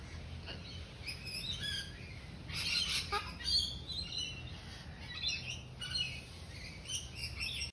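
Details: A wild sulphur-crested cockatoo, recorded close up in Australia, gives short, harsh, scratchy chatter and a few louder rasping bursts over a low background rumble.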